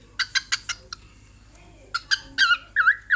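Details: Female cockatiel at a mirror, laughing: clusters of short clicky chips, a pause, then harsher squawky notes sliding into a dipping whistle.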